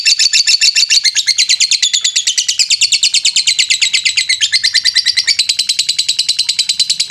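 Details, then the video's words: Lovebird chatter meant to lift the mood of sluggish lovebirds and get them singing, a loud unbroken stream of rapid scratchy high-pitched chirps in quick regular pulses. "Suara pancingan lovebird, menaikan emosi lovebird Bahan/Antau kurang aktif"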